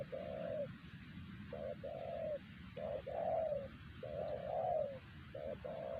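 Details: Spotted dove, a wild bird at Siosar whose calling silenced a decoy bird and other doves before it was caught, repeating mellow low coos: short notes followed by longer drawn-out ones, with hiss behind.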